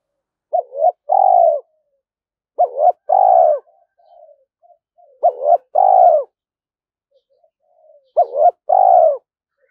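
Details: Spotted dove calling a wild flock in toward a trap, 'gáy thúc' and 'gáy gọi bổi': three two-part phrases, each a quick double-peaked coo plus a long buzzy coo, spaced about every two to three seconds, with soft notes between.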